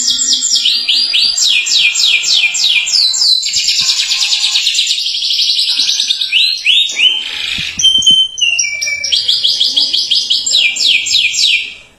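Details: Canary song of long, fast rolling trills and bright repeated phrases, high-pitched and nearly unbroken throughout. It is played to get other canaries singing.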